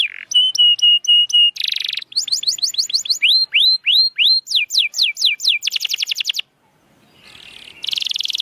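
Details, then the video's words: Canary song for prompting silent birds to sing: short phrases of whistled notes, buzzy bursts and falling slurs, then a brief near-silent pause with faint noise before another buzzy roll. "Kenari Gacor‼️Masteran Handal Pancingan Burung Bisu Agar Cepat Gacor Lagi"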